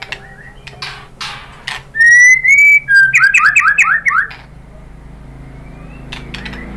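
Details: Provocation song of a white-rumped shama: a long, loud whistled note rising slightly, then a rapid run of about eight looping, slurred notes, followed by quieter background.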